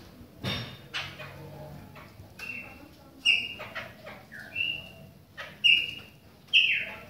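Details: Chopi blackbird singing in the rain: loud, clear whistled notes, some flat and some sliding upward, given in short bursts about once a second, mixed with sharp broadband clicks and a brief low noise near the start.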